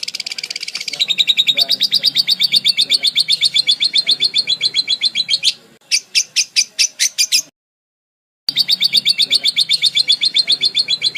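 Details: Varied budgerigar song used to tutor other birds: a long run of quick, regular chattering notes around four per second, a short pause, a brighter burst of sharper notes, then silence before the rapid chatter resumes.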